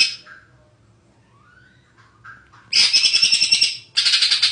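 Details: A champion greater green leafbird in full song gives quiet varied whistles, then loud bursts of rapid, harsh, high chattering notes repeated several times a second.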